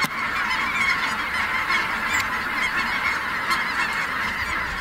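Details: At Merced NWF a flock of snow geese rises into flight, calling together in a thick, constant chorus of nasal honks with occasional crisp clicks.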